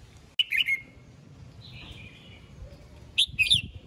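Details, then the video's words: A red-whiskered bulbul sings in the morning to call the flock, aimed at stirring wild-caught birds: a sharp whistled phrase, then a softer drawn-out falling note, then another bright cluster of quick notes, with low background murmur. "Chào mào hót sáng, yếu lửa gọi đàn, kích bổi ra bọng"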